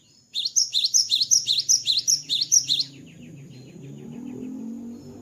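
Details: Post-moult cinereous tit (gelatik batu) delivering a brisk run of about ten repeated two-note phrases, high and piercing. A low background hum rises once the singing stops.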